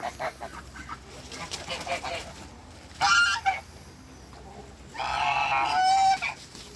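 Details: Backyard African and Toulouse domestic geese giving a few soft honks, then two loud, longer nasal blasts around the third and fifth to sixth seconds, with a low steady hum beneath.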